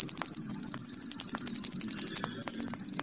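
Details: Hill prinia trilling in the long 'bren' style for songbird training: fast, very high, evenly spaced metallic notes for over two seconds, a brief pause, then the trill resumes.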